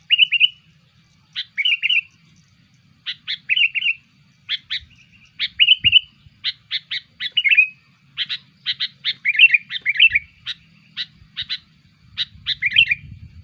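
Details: Sooty-headed bulbul calls played to lure bulbuls: lively chattering series of short, bright chirps and sharp ticks, mostly in quick clusters with short pauses, continuing steadily throughout against a quiet background.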